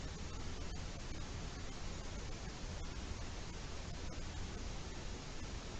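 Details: Only a constant, even hiss of static noise is heard, with no calls or other distinct sounds.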